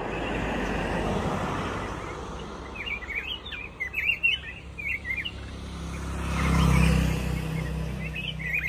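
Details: Black-crested bulbul giving quick, clipped whistled chirps in a rapid series, partly buried under loud, steady background noise and a low rumble that swells near the end.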